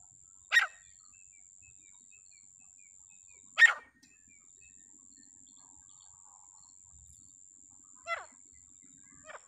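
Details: Wild grey francolin calling with short, harsh, loud notes spaced several seconds apart amid quiet surroundings, with a constant high-pitched whine in the background.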